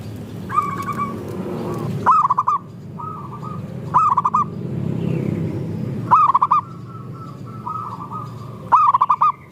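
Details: Several zebra doves, a mix of local and Bangkok birds, sing to prompt other doves to call. Four loud stuttering coo phrases come roughly every two seconds, with softer overlapping coos from other birds and a steady low rumble beneath.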